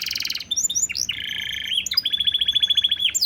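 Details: Canary song used as a master recording to prompt other birds to sing, in a special cengkok style: a buzzy high trill, then a long rapid run of repeated notes, and finally upswept whistles.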